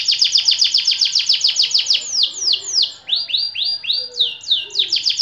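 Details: White AF canary singing a long phrase: rapid falling notes in a rolling trill, easing into slower swooping rising whistles before the fast trill returns.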